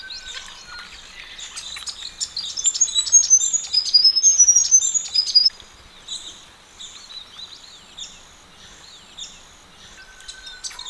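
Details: Australian ring-necked parrots bathing together in a pond on a chilly morning; a loud run of rapid, high twittering chirps for several seconds, then softer scattered calls.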